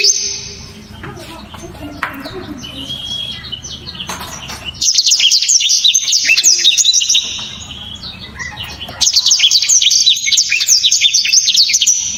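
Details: {'text': 'Powerful black-throated canary song, sharp and dense. After faint scattered chirps and low noise, two long bursts of rapid high twittering and slurred trills ring out with a short lull between.'}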